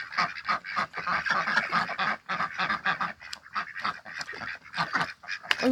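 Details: Six home-hatched domestic ducks in a backyard in spring, the mating season, giving dense rasping quacks that run together in noisy overlapping bursts, with a brief sharp click near the end.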